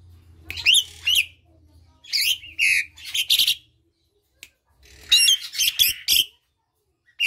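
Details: Asian pied starling song, played to coax silent or lazy birds into singing: three bursts of harsh, buzzy notes mixed with whistled upslurs, separated by short pauses, over a faint low hum.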